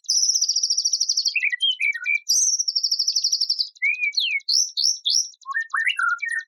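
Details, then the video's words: White-rumped shama from a compiled tutoring set of coarse song phrases. Loud sustained high trills alternate with varied lower slurred whistles and upward sweeps, with steady rapid ticking in the background. "ISIAN BURUNG MURAI BATU TEMBAKAN KASAR"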